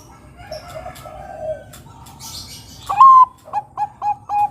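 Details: Bangkok-type zebra dove singing, used as a lure to draw other doves: soft low coos, then a loud clear whistled note that rises and holds, followed by four short, evenly spaced clipped notes.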